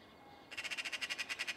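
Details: Magpie calling in rural Cyprus: after a moment of quiet hiss, a loud, harsh machine-gun rattle of about a dozen evenly spaced, scratchy notes runs without a break.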